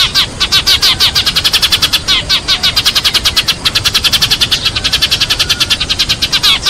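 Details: Sparrows give a flock-gathering call used to draw the flock in: a fast, unbroken stream of bright, high chips, about seven a second, with several birds overlapping.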